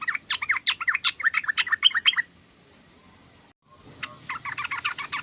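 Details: Sooty-headed bulbul in a rapid twittering ngeriwik chatter, a dense run of slurred notes lasting two seconds, a brief silence, then the chatter resumes.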